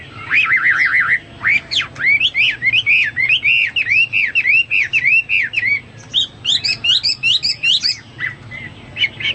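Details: A Hwamei singing vigorously, recorded as a model song for pet birds: an opening fast warble, then a long run of loud arching whistles about two per second, followed by high chattering notes.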